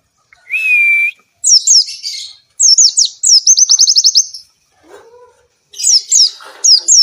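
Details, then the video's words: Energetic Oriental white-eye song for prompting lazy birds to sing: a level whistled note, then rapid high twittering and a fast run of repeated slurred notes, with a brief lower warble midway. "burung pleci gacor!!! efektif untuk pancingan dan masteran pleci yang malas bunyi"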